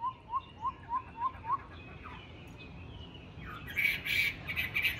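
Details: Caged Chinese hwamei, tame and good at fighting, Hanoi, Vietnam: six short lower upslurred notes in an even series, a pause, then harsher noisy bursts with high whistles.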